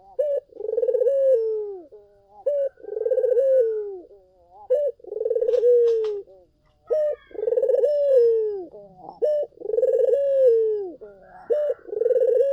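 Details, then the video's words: Cooing collared dove used as a lure: repeated pulsed, throbbing coos every two to three seconds, each falling in pitch and followed by a brief rising note, with faint higher chirps in the background. "SUARA BURUNG PUTER GACOR! 100% pancingan ampuh,puter kamu pasti katut"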